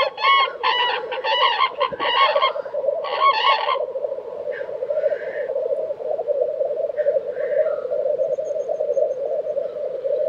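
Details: Black grouse lek in Tiveden, Sweden, in April 2023, with steady low bubbling throughout; loud, harsh honking calls of another bird crowd the first four seconds, followed by faint hissing sneezes.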